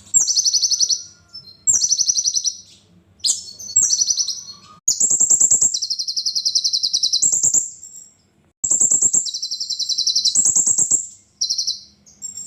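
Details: Sunbird known locally as kolibri ninja, delivering a long series of piercing high trills and buzzy rattles in separate phrases, with short silences between them.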